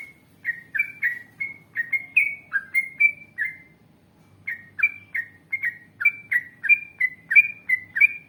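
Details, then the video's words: Energetic yellow-vented bulbul song played to coax other bulbuls into answering, long wild-style phrasing with rapid runs: bright gurgling whistles in quick succession, brief silence near the middle, then another sustained run of warbled notes. "Masteran Trucukan Gacor Ngalas Panjang Ropel Panjang ❗Ampuh Untuk Pancingan Trucuk Agar Bunyi Nyaut"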